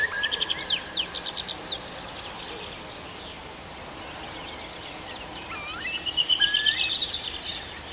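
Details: Birdsong in a night forest, Arkhangelsk Oblast, June: a two-second burst of high, rapid trilled notes, then a quiet stretch, then scattered thin whistles and slurred notes over a steady background hiss.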